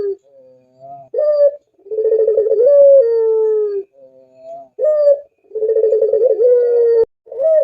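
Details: Spotted dove's melodious cooing: soft low introductory notes, then rolling tremulous coos that stretch into drawn-out, gently descending tones, the phrase given twice in under eight seconds. Background silent.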